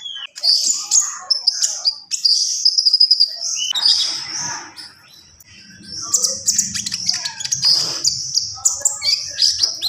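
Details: Javan pied starling in full isian song: loud, continuous high shrill whistles, trills and scratchy chatter, one brief quieter pause in the middle before more squeaky bursts.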